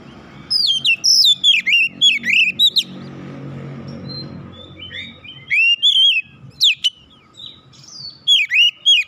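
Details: Challenged oriental magpie-robin bursts into rapid chirps and downswept whistles, falls quiet amid a low rumbling hum, then resumes with scattered sharp notes.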